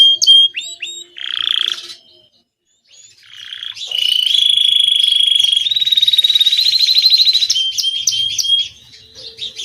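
A domestic canary sings a bright, high song of rapid rolling trills and clear whistled notes.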